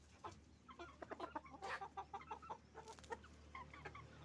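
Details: Hens and roosters at a chicken farm: a busy run of quick clucks and cackles, one longer squawk in the middle, many birds calling together over low background hum.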